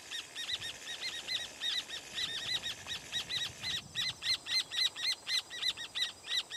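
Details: Rufous horneros perched on a firewood-gatherer's nest, calling noisily in alarm. Fast, repeated sharp notes with a strident metallic quality form loud bursts and then a steady rapid series, several birds overlapping, over faint background noise.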